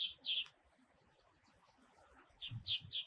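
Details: Red-bellied thrush, a winter passage bird in Taiwan that usually appears alone in woodland from lowlands to mid elevations and forages on the ground; short high harsh notes in two bursts at the start and a cluster near the end, faint background hiss.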